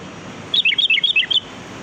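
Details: Sooty-headed bulbul (kutilang) song used as a lure for trapping birds: a quick burst of bright, bubbly whistled notes lasting under a second, warbling up and down over steady background hiss.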